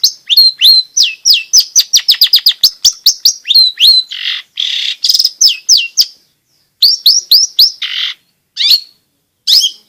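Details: Long-tailed shrike singing loudly, its song meant to prompt quiet shrikes to sing: quick high downslurred whistled notes repeated in fast bursts, broken by harsh buzzy rasps and short pauses.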